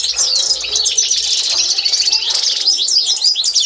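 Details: Authentic Constantine-style European goldfinch song, a training recording for learning birds: continuous, busy high twittering with liquid chirps, buzzy rattles and thin whistled notes running without a break.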